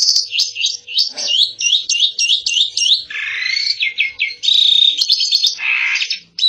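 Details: Jalak suren, Asian pied starling, singing gacor: a rapid series of repeated looping whistled notes, then a lower rasping passage, and bright high warbled phrases with a short harsh burst at the end.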